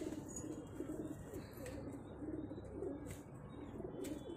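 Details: Repeated low, gurgling coos from a pigeon pair run through the clip, broken by brief rustles and wing flutters against constant background hiss.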